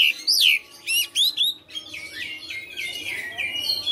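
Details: Caged Oriental magpie-robin in persistent fighter-style song, showing its filler phrases: quick bright whistles sweeping down, then a softer, continuous twittering warble of varied chirps with a steady background hiss.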